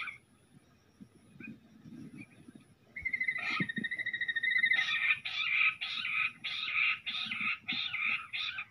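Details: A Jungle bush quail is drawn to a net by played sound during fighting: a brief high whistle, then a loud, fast run of harsh, high notes, about two per second; faint background rustle.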